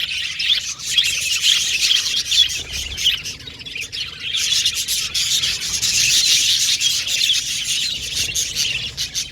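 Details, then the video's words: Several Australian budgerigars chirping happily, a dense, continuous high chatter of tweets and scratchy warbles that swells and fades, with no clear pauses. "Beautiful Cute Budgies Chirping Sound | Australian budgies Singing sound"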